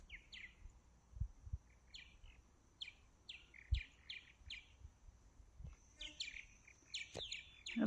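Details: Several martins flying around in the morning give quick, chirping calls in bursts of two to four, overlapping through the air, with low thumps of wind and handling underneath.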